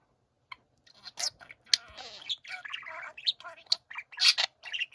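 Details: Budgerigars chattering together indoors, scattered squeaks and buzzy warbled phrases after a quiet start, with a soft sliding human-like tone in the middle and bright chirps near the end.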